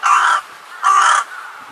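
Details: Juvenile carrion crow recorded 10 June 2020, giving hoarse, urgent-sounding calls: two harsh, rasping caws of about half a second each, with a fainter third call starting at the end.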